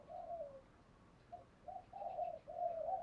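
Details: Spotted dove (cu gáy, cu cườm) giving the thúc gù and gáy gọi song that wild birds answer. Quiet low coos over a hissy background: one drawn-out falling note, a pause, then a quickening run of short and longer hooting notes.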